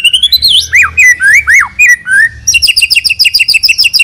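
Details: White-rumped shama chosen as a lure bird singing continuously with a full repertoire: swooping whistled notes that rise and fall, then a fast, regular series of sharp high chips repeated about three times per second.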